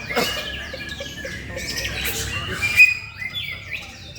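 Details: Male white-rumped shama (murai batu) in Indonesia, a mix of sharp chirps, sweeping whistles and a clear high note, with scattered other bird calls behind.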